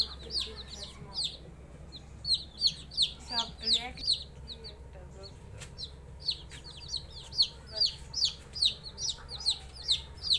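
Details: Chicken chicks peeping: high-pitched, piercing cheeps repeated about twice a second in irregular runs, several birds overlapping, with a faint low hum underneath.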